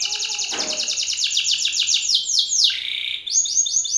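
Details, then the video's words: Belgian canary male, singing aggressively at an opposing male: a sustained bright roll of rapid falling notes, a brief buzzy burst early on, a sharp drop, then quick higher rolls. "Canário belga BRAVO CANTANDO FORTE na cara de outro macho !"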